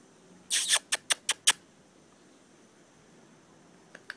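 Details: A talkative pet grey parrot, asked by its owner for little kisses, gives a harsh, hissing squawk, then four quick sharp kiss-like clicking smacks, and two faint clicks after a pause in a quiet room.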